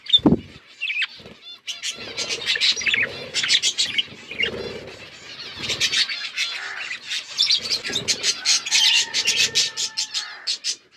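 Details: Several budgerigars kept in a forest-environment aviary, starting with a sharp knock, then bursts of rapid scratchy chirps and twittering that grow busier toward the end, with a steady faint whistle near the close.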